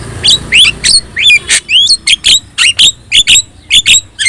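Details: Javan myna (jalak kebo) with yellow eyes, a lively caged bird, singing a fast run of sharp whistled notes, clicks and rising slurred whistles, about two notes a second, used as a master song to train other birds.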